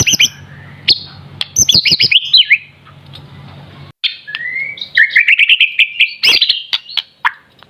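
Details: Young White-rumped shama in a varied outpouring: clipped high chirps and slurred whistles, a brief lull, then a rising whistle that leads into a long, rippling string of warbled notes, punctuated by sharp clicks.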